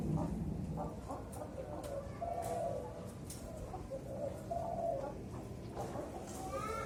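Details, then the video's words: A four-to-five-month-old zebra dove in training on a hoisted cage sings soft, rippling coos, two fuller phrases about two seconds apart with scattered shorter notes and noisy surroundings. "Melatih DERKUKU MUDA di kerekan"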